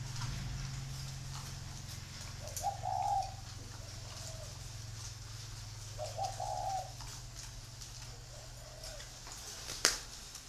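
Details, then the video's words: Spotted doves kept as free-range breeding birds at a farm in Ba Vì, Hanoi, Vietnam; two soft, low cooing phrases about three seconds apart, each a short cluster of hollow notes, over a steady low hum. "chim cu gáy nuôi sinh sản thả rông"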